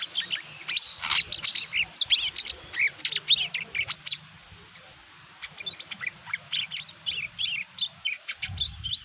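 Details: Greater green leafbird, mini type, in loud, provocative song intended to make other birds answer: dense, rapid chattering of high chirps and squeaky notes, a short pause, then more excited twittering.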